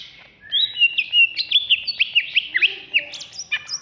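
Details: Greater green leafbird of Alas Purwo stock, caged and contest-ready in Jatiasih, Bekasi, in agitated song: a fast, unbroken chatter of zigzagging whistled notes, rising and dropping sharply about four times a second, ending on high whistles.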